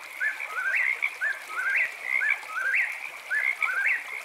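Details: At night, an eastern whip-poor-will repeats its whistled phrase four times, each a short note, a slurred middle and an abrupt rising end, about one per second, with a constant trilling frog chorus behind.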